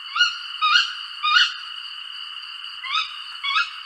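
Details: Tawny owl calling five times in quick succession, each call a short, rising, harsh note with strong overtones.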